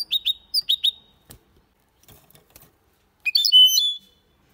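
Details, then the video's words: Goldfinch × canary hybrid, Malaga-style song: a short run of bright high notes, a few soft clicks, then a ringing, sustained, warbled phrase that holds steady before stopping. "Mixto de Jilguero Cantando Limpio (Video HD)Mulet de Chardonneret X canari /hybrid goldfinch singing"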